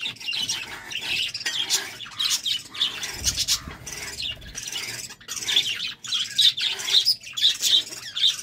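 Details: Pet budgies in a courtship mood keep up steady chattering warble: fast scratchy chirps and clicks with brief high squeaks, continuous apart from a short pause midway.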